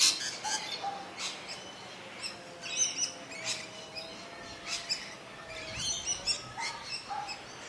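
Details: Pied oystercatcher pair apparently settled on a nest scrape in cold weather, about 25 m from a masked lapwing nest: short, sharp, high chirping notes in irregular bursts, faint low tones beneath, outdoor background hiss.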